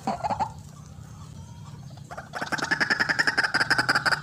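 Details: White-breasted waterhen lure call for trapping: a faint croak, a quiet pause, then a rapid, even run of about three and a half harsh notes per second.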